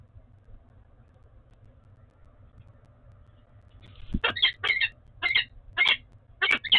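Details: At the Oudenaarde peregrine falcon nest on 11 February 2021, a bonding pair is silent for about four seconds, then gives six loud, hoarse, chopped notes roughly every half second over a steady low hum.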